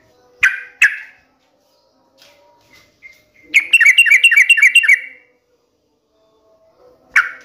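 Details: Lure song of a sooty-headed bulbul for prompting a kept bird to sing: two sharp opening notes, a rapid rolling burst of liquid chirps for about a second and a half, and a final lone note.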